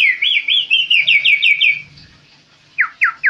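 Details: Tame kaso-kaso bird singing busily, a fast run of about eight looping whistled notes, each rising then falling, followed after a short pause by three sharp downslurred whistles.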